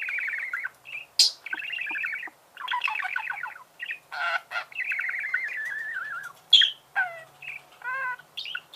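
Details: Budgerigar chirps in a long rambling chatter: buzzy rattled phrases, a drawn-out wavering warble, sharp upward squeaks and a falling harmonic note near the end.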